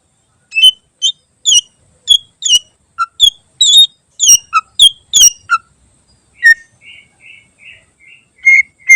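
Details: Greater green leafbird singing a varied song rich in mimicked phrases, meant as a training recording for other birds; sharp high chirps and whistled notes in quick succession, then a run of five evenly spaced, slightly buzzy whistles.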